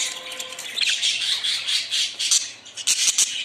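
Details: Loud, continuous budgerigar chatter: rasping squawks and warbling chirps run together without pause, ending in a few sharp, clipped notes.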